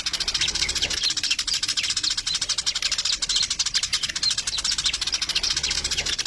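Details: Continuous chatter of sparrows, many short, sharp, high chirps overlapping in a rapid, steady stream with no pauses.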